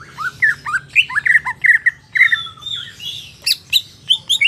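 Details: Song of a market greater green leafbird: a lively string of short slurred upward whistles repeated rapidly, then a long thin sliding whistle and high sharp chips.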